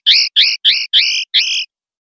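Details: Common linnet singing in the clean 'pardillo limpio' style of Spanish silvestrismo, from a 2025/2026 song CD: five short, bright chirps, each bending downward, spaced about a third of a second apart, then silence.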